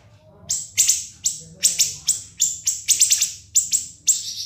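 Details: Siri-siri birdsong for training cage birds, shrill and loud: after a brief quiet start, a steady run of sharp high chips, often doubled or tripled in fast bursts.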